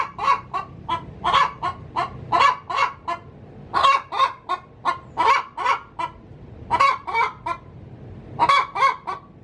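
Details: Domestic hen cackling in her coop before laying an egg: bursts of harsh, broad clucks around a strong mid tone, grouped in runs of three to six with short pauses between runs.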